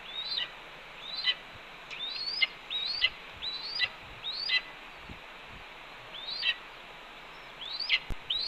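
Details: Scolding red-tailed hawk at a Cornell nest, 10:53 AM on 28 April 2013, as a branch is delivered: bright rising-then-falling notes in an uneven series with a pause in the middle, plus soft bumps and background noise.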